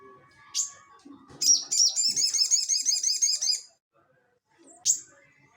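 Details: Sogon (crested jay) singing ngeleper for cage-bird training: a lone high note, then a two-second run of rapid, wavering rattled notes, a pause, and one more sharp note over faint low chatter.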